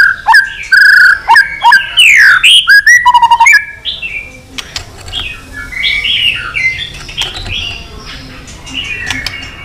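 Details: White-rumped shama in long fighting-provoking song: loud whistled and warbled phrases with sharp clicks and a rapid trill, then quieter, more distant warbling.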